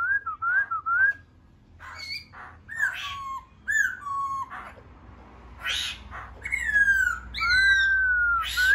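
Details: Newly wild-caught laughingthrush sings short looping whistles and falling slurs broken by rough chattering bursts, ending in long, loud whistles that dip and level off.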